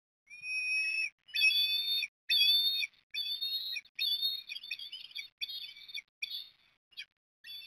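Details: Eastern osprey chicks on the nest at Port Lincoln, Australia, during feeding on 30 October 2021: a long series of high, reedy, wavering whistles, roughly one a second, becoming shorter and choppier toward the end.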